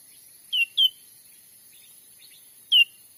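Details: Grey-bellied bulbul, known locally as cucak ranting, recorded as an original lure sound for catching wild birds in the forests of Sumatra. Two sharp downslurred whistles close together, a pause of about two seconds, then a third matching whistle.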